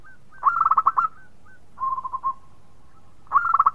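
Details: Local zebra dove in full, melodious song said to set other birds singing: a rapid bubbling burst of short cooing notes, a softer lower phrase after a pause, then another quick trill of clipped notes.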